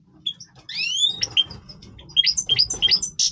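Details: {'caption': 'European goldfinch singing its breeding song: tinkling high notes, sweeping upslurred whistles and rapid twittering chirps, with a faint low rumble underneath.'}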